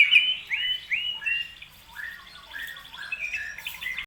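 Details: White-rumped shama (murai batu) singing energetically, played to stir up other birds: bright, clear whistles and slurred notes, some fluty and drawn out, others in quick trilled runs, softer but continuous.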